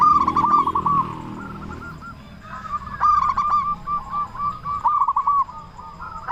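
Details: Local zebra dove calling loudly as a lure to draw song from other doves. Fast rolling coos come in rippling phrases, with a low rumbling noise in the first seconds and scattered sharp harmonic notes.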